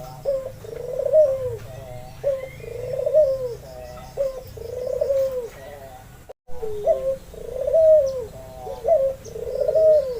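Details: Albino Barbary dove with red eyes, used to encourage other doves to call: regular low, purring coos, each a short note followed by a rolling phrase, repeating about every two seconds, interrupted by one brief gap.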